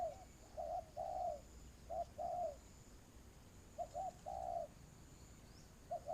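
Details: Spotted dove, a decoy bird used for trapping, giving low cooing phrases: short notes followed by a longer slurred coo, in separate bursts with pauses between; a faint steady high tone runs in the background.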